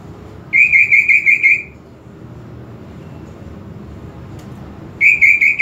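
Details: Greater green leafbird sound for provoking aggression: a fast trill of sharp, even whistled notes, a pause with only low background noise, then the same rapid trill starts again.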